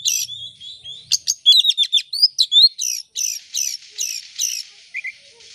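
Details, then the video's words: Oriental magpie-robin singing as a lure for other birds: a whistled opening, then fast sharp notes and a run of evenly spaced buzzy phrases that fade toward the end. "Kacer gacor buka ekor pancingan kacer gacor langsung on"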